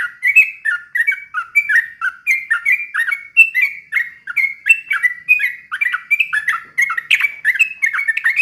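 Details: Sooty-headed bulbul delivering an unbroken slow ropel song to goad other bulbuls into singing; lively stream of short fluty notes rising and falling, densely packed for over eight seconds with no other sounds.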